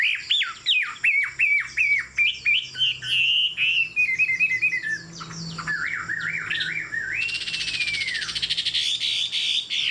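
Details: Tame Chinese Hwamei singing from a high perch; rapid repeated sharp whistled notes, a wavering warbled run, then a smooth arched whistle over harsh buzzy noise.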